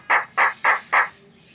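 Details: Jalak, a starling or myna, giving four harsh, even squawking notes in steady succession, each about a fifth of a second long.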